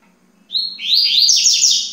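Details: Yellow-bellied seedeater song: a rapid, bright high-pitched phrase that starts with a sustained whistled note, then runs into quick sweeping trills for about a second and a half, with a faint low hum underneath.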